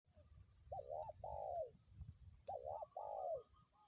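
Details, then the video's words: Spotted dove, a lure bird, calling in strong wind: two bouts of clear cooing, each a short double-humped coo followed by a longer falling coo, around 600–900 range, with low wind rumble beneath. "angin kencang pikat tetep bunyi kuk 1"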